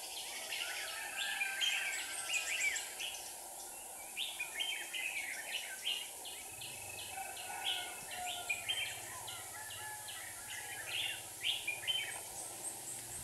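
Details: Red-whiskered bulbuls from Hòa Bình, Vietnam, at a trap with two decoy birds singing to lure wild rivals: bright warbled phrases of short whistled notes, repeated steadily through the clip over a faint low rumble.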